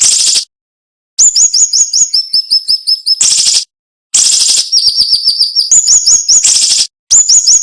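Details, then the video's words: High-pitched cinnamon-bellied flowerpecker song for tutoring cage birds: dense, tight bursts of sharp ticking notes separated by harsh buzzy hisses and short gaps of silence. "MASTERAN SUARA BURUNG SIRI SIRI NEMBAK TAJAM"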